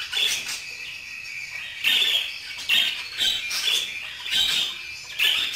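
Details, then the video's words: Steady budgerigar warble: rapid, grating high chirps strung into uneven phrases, rising and falling in loudness every second or so without pause. "اصوات طيور البادجي - اجمل اصوات عصافير الحب"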